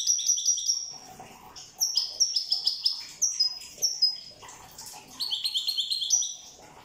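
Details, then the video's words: European goldfinch from the island of Corsica in steady song: rapid, bright, high twitters and tinkling trills, phrases tumbling one after another with short sharp accents and brief pauses. "Chant chardonneret corse rosse"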